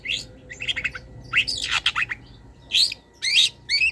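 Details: Long-tailed shrike in full song with wild-bird fill-ins, used as a master for cage birds. Dense jumbled chatter and rising and falling slurred whistles run into louder separate squeaky phrases near the end.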